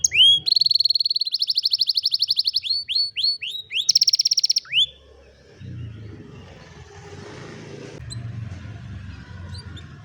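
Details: Canary singing, recorded on a mobile phone: a loud run of rapid, bright trills and repeated whistled notes, then fast downward-sweeping notes, stopping abruptly halfway through, leaving low rumbling background noise.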